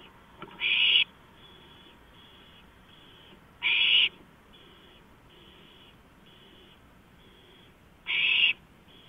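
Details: Porch owl at night, 5 April 2015, 2:05 AM: three loud raspy hiss bursts spaced several seconds apart, with quieter faint hisses filling the gaps and a low continuous hum.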